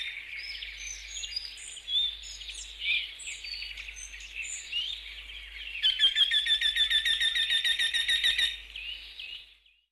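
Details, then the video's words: Eurasian wryneck song: after several seconds of scattered chirps from other small birds, a rapid string of repeated nasal notes begins and runs for about three seconds before fading. "Jynx torquilla song"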